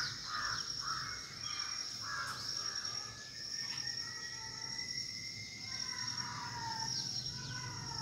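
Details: Red-wattled lapwings (Vanellus indicus) foraging give harsh, shrill call notes in quick bursts, over a steady high insect drone.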